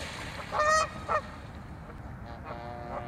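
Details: During a turf-war fight among Canada geese at Waveland Lake, Chicago, one strong harmonic honk is followed quickly by a shorter second honk, then low background rumble.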